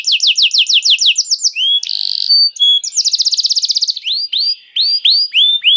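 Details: Canary song used as bait to prompt other canaries to sing: fast rattling trills of falling whistled notes, a buzzy held tone, pure whistles and rapid repeated chips, all high-pitched and continuous.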